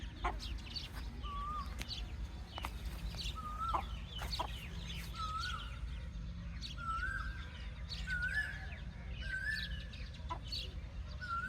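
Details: Soft chirping of baby chicks: scattered high, quick peeps mixed with longer, lower whistled notes repeated every second or so, against a steady low background hum.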